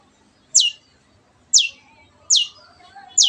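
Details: Shrike (cendet) used to stir silent birds into singing, giving short, very high descending notes about once every second, clean and bright with little else heard behind them.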